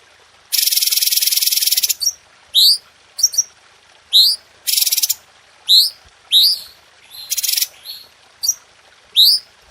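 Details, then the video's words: Red-whiskered bulbul song used as a training recording for cage birds: short, sharp, rising whistled notes spaced about every half second, broken by three longer harsh buzzy bursts. "Masteran Cucak Cungko Istimewa | Tembakan Tajam Rapat Suara Jernih"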